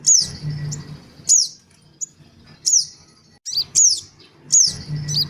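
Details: Lure recording of noisy black-winged cuckooshrikes, male, female and young, meant to draw birds in: high, piercing whistled notes that drop steeply in pitch, repeated singly at irregular one-to-two-second intervals, some in quick pairs.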